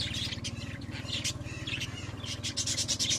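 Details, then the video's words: Domestic budgerigars chirping in fast, squeaky notes with some whistled high tones near the end, over a rhythmic low mechanical drone. "Naše anduličky"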